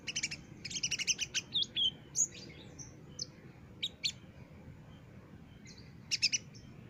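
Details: Olive-backed sunbird, a master recording for training caged birds, singing loudly and persistently: high thin chirps and short trills in rapid bursts, pauses between phrases, steady faint low hum behind.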